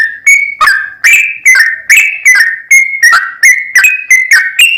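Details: Lure song of a sooty-headed bulbul: rich whistled notes alternating rising and falling slurs, spaced about every third of a second across a steady run.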